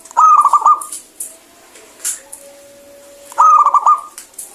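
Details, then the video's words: Local zebra dove singing actively with a clear voice: two bursts of quick, bubbling staccato coos, each under a second long, roughly three seconds apart, with faint high clicks and rustles between them. "PERKUTUT LOKAL GACOR SUARA BENING"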